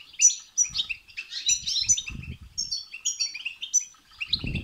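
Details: Goldfinch song in the batbata and setsata styles, intended to stimulate a goldfinch to sing. It has bright, ringing notes and rapid twittering runs, with soft low knocks and a thump at the end.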